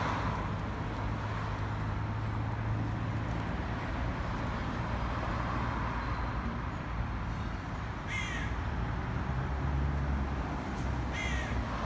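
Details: Black crows harassing a pigeon: after a long stretch of steady low droning noise, two harsh caws sound about three seconds apart near the end.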